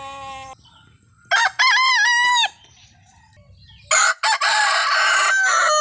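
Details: Desi roosters crowing, a compilation from India: loud harmonic crows with strained, wavering endings, one stretched over about a second, then a burst of overlapping harsh calls near the end, with a shorter crow opening the clip.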